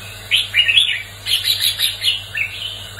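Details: A red-whiskered bulbul gives a fighting song used to stimulate and train other bulbuls: bright, bubbling whistled phrases in quick bursts, about four in three seconds, over a faint steady electrical hum.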